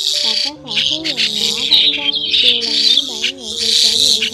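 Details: A lure recording of migrating white-headed starlings from October 2020: continuous busy chatter of harsh squawks and wavering whistles rising and falling in pitch, with a dense hissing chorus high above.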